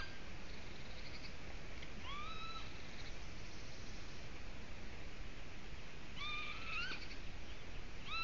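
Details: Golden eagle at the nest in Latvia, carrying in a twig; thin rising whistled yelps, one early and a closer pair near the end, over a loud continuous hiss.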